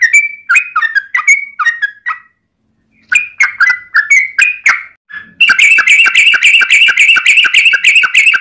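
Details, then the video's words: Yellow-vented bulbul in long, fast fighting-style song used as a lure to make other bulbuls sing: bubbly, slurred two-note phrases in bursts, a pause, more phrases, then a rapid buzzy rattling run of repeated notes to the end. "trucukan gacor TARUNG ROPEL PANJANG pancingan trucukan agar bunyi"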